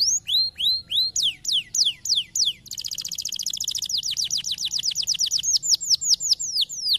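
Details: Canary song meant to encourage other canaries to sing: slow rising and falling whistled sweeps for under three seconds, then a fast rattling trill of repeated notes slowing into clear downward slurs.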